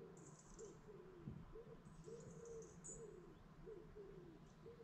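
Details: Lakeside dawn chorus in the Lake District: soft, low cooing notes repeat about twice a second over thin, high hissing calls and a steady low background rumble.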